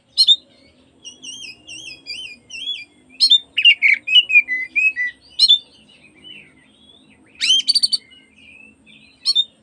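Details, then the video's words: An oriental magpie-robin sings a provoking afternoon song: wavy high whistled phrases, then clusters of rich chattering notes and sharp chirps separated by short gaps, with faint low background hum. "PANCINGAN BURUNG KACER BUAT SORE HARI DI JAMIN KACER LAIN LANGSUNG IKUTAN BUKA EKOR"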